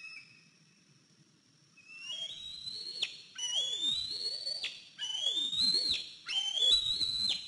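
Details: Eagle at the nest, 14 April 2023 around 10:57 am, as a limping 103-day-old eaglet returned after fledging; loud, piercing whistles sliding upward, repeated about four times in quick succession, each ending abruptly.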